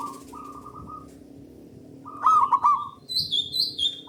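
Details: Local zebra dove song used as a lure for other doves: two short rolling coos, a pause, then a loud bubbling, stuttering coo phrase. Bright high chirps from other small birds follow.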